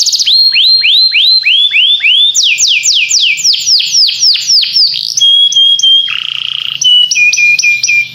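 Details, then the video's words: Singing canary: a string of looping down-curved whistles, faster sharp down-slurs, a pure held whistle, a low rolling trill, then repeated chirps. "This Sweet Melody Will Excite Your Singing Canary!"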